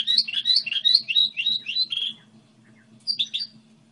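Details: Goldfinch hybrid model song: two seconds of quick, lilting high twitters, a silent gap, then a short final burst of sharp chirps, with a low hum in the background.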